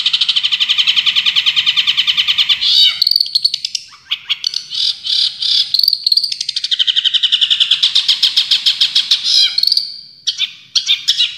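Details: Champion long-tailed shrike in full 'tembakan' style: fast rattling trills and buzzy bursts mixed with sharp squeaky notes, repeated at a rapid, uneven pace, with harsher scratchy phrases near the end.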